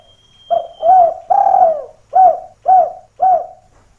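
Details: Steady spotted dove calling used to lure wild doves down toward a rival. Six low coos in about three seconds. The second and third are longer and swelling, the last three short and evenly spaced.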